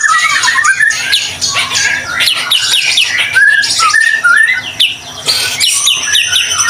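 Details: White-rumped shama delivering 'gacor' song meant to lure other shamas into singing; crowded, energetic mix of downslurred whistles, buzzy chatter and brief high notes, with a few short dips in loudness.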